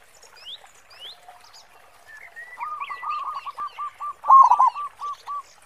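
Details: Local zebra dove singing energetically with a big 'khong' voice, used as a lure for other doves; soft chatter gives way to a stuttering run of hollow coos, then a louder rolling burst and spaced trailing notes, with thin whistles from other birds above.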